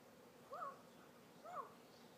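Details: Pet African grey parrot being cute at home: two soft, short, arched harmonic notes about a second apart, each rising then falling, in otherwise quiet surroundings.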